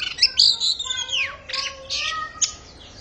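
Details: Oriental magpie-robin starting its singing season, belting out loud, tearing song: strong whistles that slide down steeply, buzzy rasping notes and a sharp high note near the end, all in three seconds.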